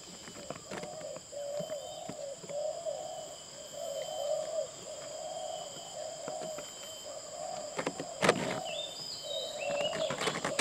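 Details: Spotted dove singing: a steady series of soft, low coos repeated in smooth phrases, under a constant high insect-like whine, with brief clicks and a sharp knock near the end.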